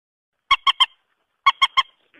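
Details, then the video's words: A rail (mandar) lure call, said to attract males and females, gives two quick bursts of three harsh, nasal honks about a second apart, with a faint rasp at the end. "pikat burung Mandar"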